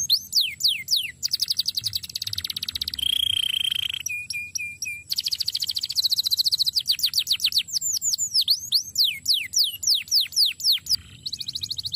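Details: Canary singing a long varied master song: falling whistled sweeps, buzzy rolls, a held tone, short chirps, then many fast sweeping notes, changing phrase every few seconds.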